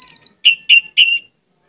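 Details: Orange-headed thrush singing vigorously, offered as a lure song with many imitated phrases: a high wavering whistle, then three clipped, slurred notes in quick succession, each sharply accented and falling slightly at the end.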